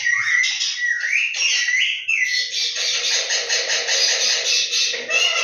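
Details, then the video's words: A pet rose-ringed (Indian ringneck) parakeet in "talking mode" chatters in a run of sliding whistles and harsh, buzzy syllables that blend into a continuous scratchy babble. "Indian ringneck parrot talking mode"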